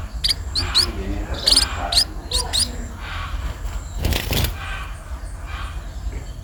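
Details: Being fed, a sparrow gives a short run of high upward-flicking chirps, followed by a loud rustling burst and quieter background noise.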